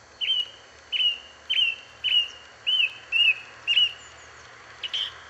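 Song thrush repeating one short, clear whistled phrase about seven times, roughly twice a second, with faint background hiss.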